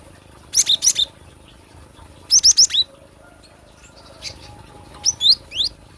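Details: Cinereous tit natural song used for luring or song training: short clusters of high, sharp whistled notes in bursts of three or four, falling and rising slurs, with quiet pauses between phrases and faint background hiss.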